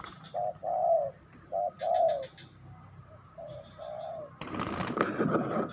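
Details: Spotted dove giving two clear coo phrases, each a short note then a longer falling coo, followed by a quieter softer phrase, before a sudden loud burst of broadband noise ends the recording.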